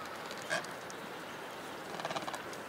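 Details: An Adelie penguin on the Yalour Islands, Antarctic Peninsula, returning from the sea across snow to its colony, gives a short, harsh braying call of quick throaty pulses after a single rough squawk, over steady wind hiss.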